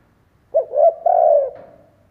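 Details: Single coo phrase from a Vietnamese decoy spotted dove used to rouse other doves: two clipped hollow notes, then a longer, smooth croo that slowly fades, low-pitched and clean.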